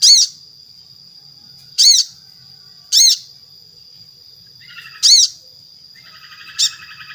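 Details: Sogon (little spiderhunter) song as a lure for other sogon: hard, explosive notes at uneven one-to-two-second gaps over a constant thin high tone, with faint buzzy trills after the later notes.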